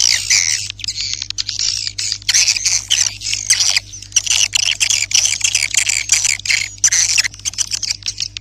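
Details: Swiftlet lure call used to attract swiftlets: dense, loud bursts of high chirping and squawky twittering, many rapid notes packed closely with brief gaps, over a faint steady low hum.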